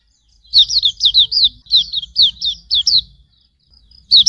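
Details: Hume's white-eye song used as a tutor recording for cage birds: a quick series of high, downslurred whistled notes, about four a second, that breaks off and then starts again near the end.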